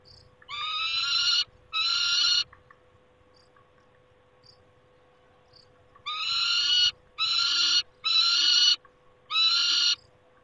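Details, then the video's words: Peregrine falcon screaming at its nest, 28 August 2021. Two harsh, rasping calls, then a quiet spell with a few faint chirps, then four more loud screeches in quick succession. "Sokoły - Wrzaskun 28-08-21"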